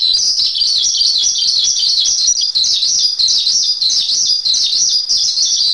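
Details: Javan pied starling singing as a tutor recording for training songbirds: a fast, wavering, trill-like chatter of high notes that rise and fall in a steady ripple throughout.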